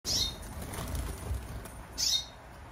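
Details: Nearly adult Eurasian siskin giving two brief, high, thin chirps about two seconds apart over a low rumbling background.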